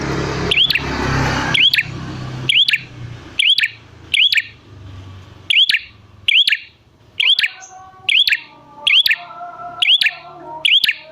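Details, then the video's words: Red prinia call used as a lure to make wild prinias answer: a sharp, high, hooked chirp repeated roughly once a second, each with a click, over rumbling noise at the start and faint lower tones later. "Pancingan Prenjak Gacor Jamin Prenjak Malas Bunyi Langsung Nyahut"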